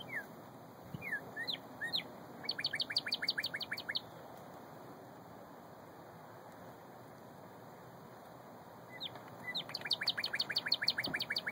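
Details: Northern cardinal singing in Bloomington, Indiana, on March 25, 2013, late morning: two bouts of clear, slurred whistles speeding into a fast run of sharp, downslurred notes, with a steady faint hum underneath.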